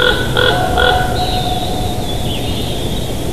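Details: Bald eagles at their nest in Big Bear Valley, filmed by a live nest cam on 7 July 2023 at 07:54; a short run of three sharp, high piping notes, then a long thin whistled tone, over steady low wind rumble.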